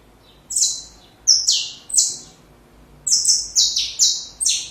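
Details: Young birds are meant to learn from this saffron finch song: three spaced, piercing downward notes, a short pause, then a quick series of five bright chips.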